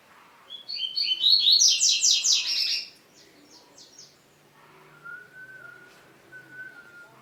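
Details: Coleiro, the double-collared seedeater, in a fast high-pitched song meant to rouse other males: a dense, buzzy, trilled phrase of about two seconds, later a soft steady whistle-like tone.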